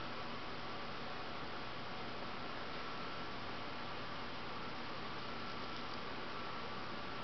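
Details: Steady broadband hiss like a fan or engine runs throughout, with no animal sound heard.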